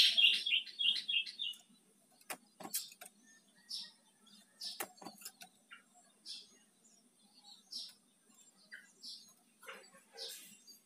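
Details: Bar-winged prinia song, described as loud and strong: a quick run of repeated chirping notes opens, then scattered fainter chirps and short phrases with sharp clicks and a low hum underneath.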